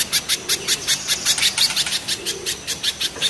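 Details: Spiderhunter, one of two types compared as mountain spiderhunter versus banana spiderhunter, in a harsh, rough song. Sharp high chip notes repeat steadily, almost three each second, with no other clear sounds.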